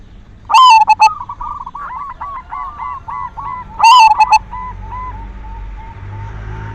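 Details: Lure song from a silver zebra dove, used to excite other doves into singing: two loud, resonant cooing phrases about three seconds apart, each trailed by a string of softer repeated coos from other doves that fade away.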